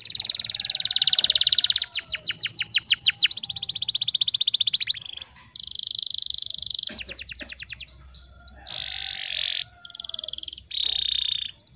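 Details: Canary singing as a lure recording to make non-singing canaries sing: a varied chain of high, rapid trills and rolling tours, with brief pauses between phrases and quick pitch changes.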